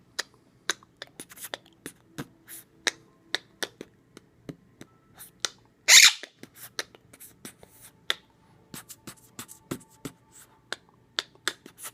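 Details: Sharp clicks, taps and snapping sounds in a small room, with one brief noisy burst midway. No clear animal voice stands out.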